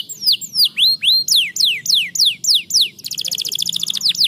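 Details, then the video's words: Canary song played to stimulate lazy canaries to sing: loud repeated descending whistled sweeps, about four per second, then a fast buzzy trill of rapid high notes near the end. "estimulando o chilrear dos canários preguiçosos"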